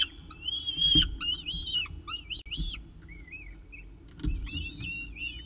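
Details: Peregrine falcons at a nest, filmed by nestcam at CSU Orange on 18 October 2018 around 6:51 pm during the evening meal; a busy run of harsh, chevron-shaped wailing calls, rising then falling, overlapping in quick bursts with faint knocks and scraping.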